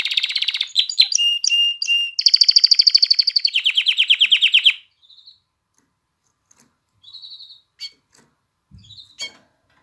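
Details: Canary song meant to excite hens and encourage chicks to sing: sharp chirps, then long rapid rattling trills for several seconds, followed by near silence with a few scattered short notes.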